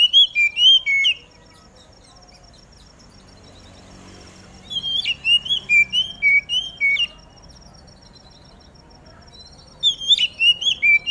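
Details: Dawn song of an Oriental magpie-robin, used to stir other magpie-robins into singing: quick series of bright whistled, down-slurred notes in three bursts with silent gaps, a thin continuous high hiss behind.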